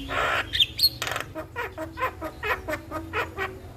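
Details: Starling recorded in the morning as a master track for training other birds to sing: a harsh opening burst, then a run of short, clipped notes repeated about four times a second, fairly even in pitch.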